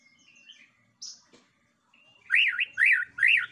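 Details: White-rumped shama lure song meant to provoke other birds: soft whistles and a brief high note, followed by three strong looping phrases rising and falling in quick succession.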